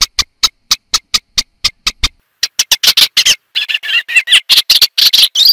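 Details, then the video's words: Eastern olivaceous warbler moving from a string of dry ticking calls into a fast, scratchy, warbling song of chattering notes that grows denser toward the end. "Eastern olivaceous warbler song and calls"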